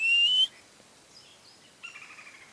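A black-fronted piping guan gives one thin, high whistle that rises slightly, then a fainter, wavering whistle after a short pause.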